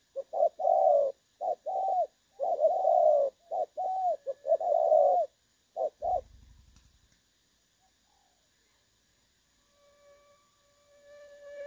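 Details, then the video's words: Decoy spotted dove for trapping with a clear voice: rapid paired coos for about five seconds, then a brief low rumble and near silence, ending with a faint tonal electronic beep. "ĐỒNG SON | Giọng trong nghe hay"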